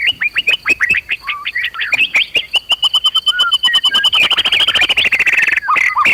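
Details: White-rumped shama in agitated singing meant to rouse other shamas to fight and sing; a rapid string of sharp repeated chips running into a long even trill, with lower whistled notes woven in, over a steady high drone.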